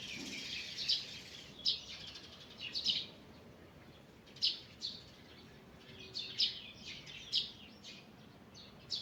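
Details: Forest birds singing in the morning with repeated sharp, high chip notes roughly every second, interwoven with fainter twittering, against a low hiss of ambient sound.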